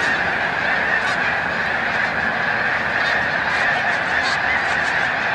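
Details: Chorus of a large snow goose flock at Montezuma, New York, March 7, 2022, during migration; thick overlapping honking throughout, with sharper individual yelps standing out now and then.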